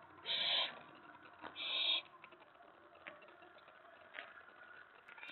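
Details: Nest-box owlet on the night of 19 May 2017, stirred up when an owl arrives at the tray after a mouse delivery; two rasping hiss bursts close together, then faint ticks and rustling.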